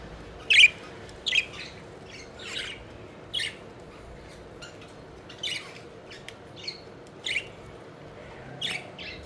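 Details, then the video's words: Several pet budgerigars at play, flying and fluttering about: sharp, bright chirps and short squawky notes at irregular intervals, about eleven bursts over nine seconds, with a faint steady hum underneath. "Budgies Having Fun: Playful Birds Flying and Chirping Joyfully"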